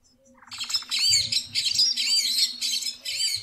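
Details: Magpie Tanager singing in Brazil: a quick rising series of notes, then bright, harsh chattering phrases repeated in bursts about every half second.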